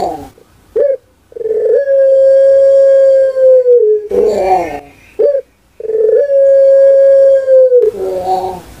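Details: National champion puter pelung dove, a kept contest bird, delivering two long sustained coos, each held about two seconds on a steady tone and dropping slightly at the close. Short throaty notes come before and between them.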